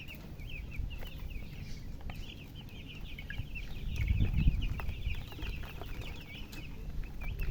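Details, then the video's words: Baby chicks chirping in a dense, rapid series of short high peeps, about four per second, with a loud low rumble swelling midway and steady background hum. "Witty MURGI Baby "Chicks Chirping" Sound"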